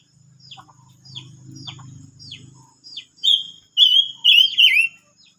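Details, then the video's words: A silver-eared mesia on 25 May 2022 gives a string of short downslurred chips over a low hum, then bursts into a loud whistled phrase of several fluid, wavering notes that drop at the close. "chim ngú sắc hót mới nhất√suab rheeb quaj tau zoo"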